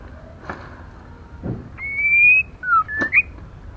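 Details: White-rumped shama hen, used to excite males, gives one long steady whistle followed by a falling note and a short upswept whistle. A few soft knocks are heard in the background.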